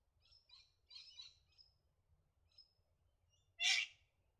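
Little wattlebird giving a few quick scratchy chattering notes, then one loud, harsh rasping squawk near the end. Faint low background rumble.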